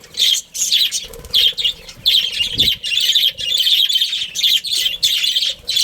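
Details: Budgerigar family chirping: dense bursts of high, scratchy warbling chatter in runs of about half a second to a second, with brief pauses and a faint low hum underneath.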